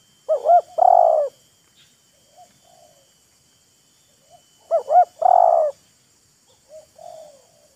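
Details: Wild and decoy spotted doves trading calls, taunting and luring each other. Two loud phrases about four and a half seconds apart, each a quick double coo and a long mellow coo, with faint soft coos between.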